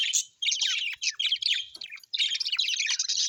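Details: Happy pet budgies chattering: busy, high-pitched warbling and clicking chirps in quick bursts, broken by two brief silences, suggesting several birds calling together.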